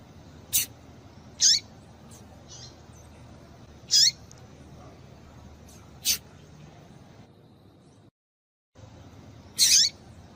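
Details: Yellow-bellied Seedeater female calling to stir males to sing. Short, piercing high chips come at uneven intervals of one to two seconds. Weaker notes sit in between, and there is a brief silent gap near the end.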